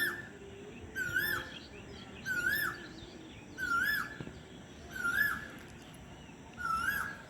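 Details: An Asian koel at sunset, heralding spring, gives its loud, rising two-note 'ku-oo' call five times, about every second and a half, over faint background hiss.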